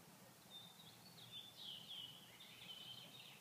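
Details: Purple martins, hungry and quiet on a 39°F day in Grand Forks, North Dakota, with no flying insects to catch. A continuous stream of high, creaky, warbling chatter with slurred up-and-down notes plays over a low background hum.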